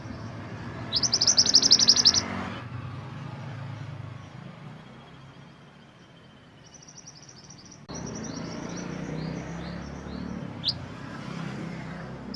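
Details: Mantenan gunung song as a master recording for training songbirds: a loud, high, rapid trill of about a second and a half, then a long quiet stretch with faint scattered high notes.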